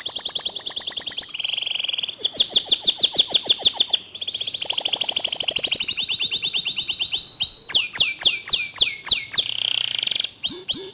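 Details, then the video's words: Canary song for coaxing other canaries to sing: a chain of rapid high rolls that change speed and pitch every couple of seconds, then loud repeated steep downward whistles and a final quick trill. "Masteran Kicau Kenari Untuk Memancing Kenari Lain Agar Ikut Gacor"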